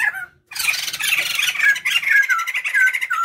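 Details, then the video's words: White-crested laughingthrush pair, male and female, used as a lure: a brief whistle, then a sudden loud raucous cackling chatter with descending whistled notes throughout. "Riuh suara poksay jambul jantan & betina gacor | Coba pancing poksay dirumah dengan sura ini"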